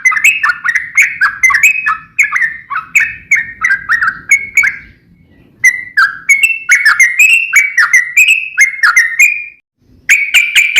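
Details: Lively, varied song of a sooty-headed bulbul (trucukan): rapid strings of bubbly whistled notes swinging up and down in pitch, in phrases separated by brief pauses.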